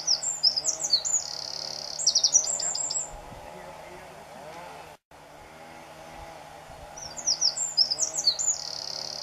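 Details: A single Eurasian wren singing at Garganta del Cares (Bulnes entrance), Picos de Europa, Asturias, Spain, on 2 June 2014: two loud, rapid bursts of very high, tinkling notes and fast trills, each a few seconds long, over a steady low hum.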